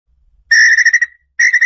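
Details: Red-legged tinamou song for attracting the bird: a strong pulsing whistle lasting about half a second, trailing off, then a second pulsed whistle starting, with no other noise.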